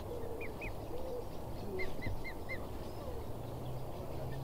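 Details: Swans and cygnets at Newsham Burn Pond, Blyth, 6 June 2016: the chatterbox cygnet gives a pair of high, downslurred peeps, then four evenly spaced arched whistles, against a low hum.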